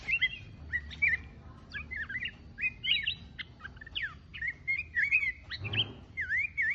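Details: Red-whiskered bulbul from the mountains in solo song, a steady run of loud liquid whistled phrases, each wavering and looping, repeated roughly twice a second, with a soft thump near the end.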